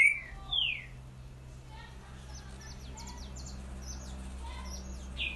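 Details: Green-winged saltator giving boiadeiro song: two loud descending whistles open the phrase, followed by faint high chips and soft lower whistles scattered through the rest, with a low constant hum underneath.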